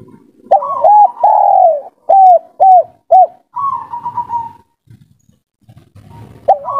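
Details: Calling a female, a local kuk-3 spotted dove gives a loud doubled coo, a long sliding coo, then three brief clipped notes about half a second apart, followed by a fainter trembling trill and quiet pauses.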